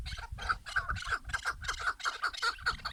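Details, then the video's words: A chorus of chukar partridges: throaty chuk-chuk notes, roughly four per second, rising and falling in strength over a steady noisy background. "Keklik sesleri / Muhteşem keklik sesleri"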